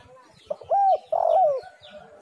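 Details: Spotted dove, recorded as a lure to get other doves calling: a brief note, a level coo, then a longer slightly wavering coo sloping down at the end, with faint low rumbles beneath.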